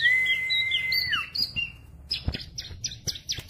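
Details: Tame bar-winged prinia singing loudly: a long steady whistle that dips at the end, a few sliding notes, then a run of sharp chips.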